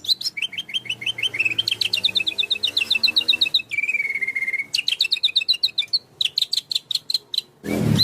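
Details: White-rumped shama pouring out varied 'tembakan' phrases: quick repeated chips and trills shifting in pitch, a short flat buzzy whistle midway, and a loud harsh burst at the end.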